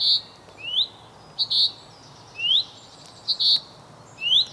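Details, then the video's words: Male common chaffinch calling to his mate. Short, high chips alternate with rising, upslurred whistles, repeated about once a second in a steady rhythm. "Bókfinka að kalla á kerlingu sína"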